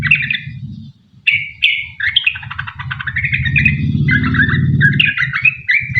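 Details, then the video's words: Sooty-headed bulbul singing long 'ropel panjang' lure song for other bulbuls; quick bubbly phrases and trills after a short pause, with a loud low rumbling engine-like noise underneath much of the time. "Trucuk gacor ROPEL PANJANG buat pancingan trucukan agar bunyi"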